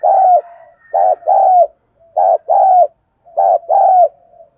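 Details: Male-provoking coo of a spotted dove: three two-part phrases, each a brief hoot followed by a longer, slightly wavering coo, spaced roughly every 1.3 seconds in a quiet setting.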